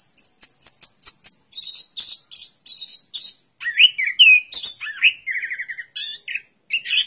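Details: Orange-headed thrush song opening with a string of rapid, regular high chips, then shifting to lower warbled whistles and a trilled phrase.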